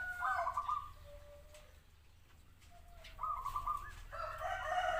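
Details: Zebra dove song: soft, trilled cooing phrases, each about a second long, repeated after pauses, over a steady low background hum.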